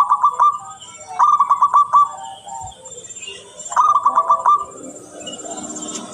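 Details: Vigorous, very clear song of a local zebra dove, used as a lure: three rolling phrases of quick, pulsed cooing notes at a steady mid pitch, each about a second long, separated by short pauses.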